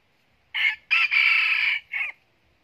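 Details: Decoy red junglefowl with bright golden plumage crowing: a short opening note, then a loud, long sustained middle section, and a brief clipped final note, against a quiet background.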